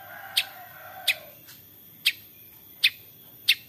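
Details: Long-tailed shrike in lively 'toet toet' voice, played to coax other shrikes into singing: five short, sharp, clicking notes at uneven intervals, with a faint low tone at the start.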